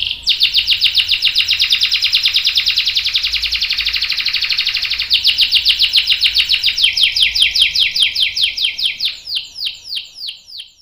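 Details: Singing canary with a long roll meant to set other canaries singing: a sustained rapid buzzing trill for about five seconds, then a chattering run of sharp notes slowing into spaced downslurred chips as it fades.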